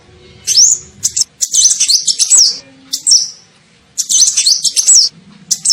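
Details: Kolibri ninja sunbird lure call for attracting birds: a rising whistle, then clusters of high, scratchy twittering notes and fluty slurs, repeated in irregular bursts.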